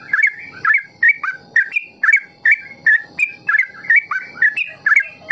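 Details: Yellow-vented bulbul (trucukan) in ropel style, played to lure young birds into learning long ropel song: bubbly, fluting two-part whistled phrases repeated about twice per second, each dropping then lifting, over a soft low background.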